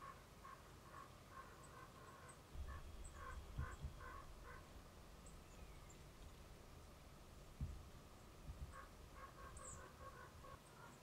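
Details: Distant common ravens, which the recordist suspects found hunting remains after a weekend hunt, give hoarse, repeated croaks in quick bursts of four to six notes over low rumbling wind.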